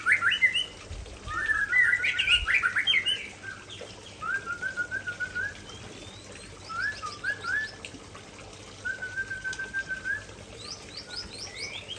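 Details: Aceh white-rumped shama pours out its prized fill-in material: a loud burst of varied, tumbling whistles, then repeated clear level trills and short phrases spaced by brief pauses, with faint high chips in the background.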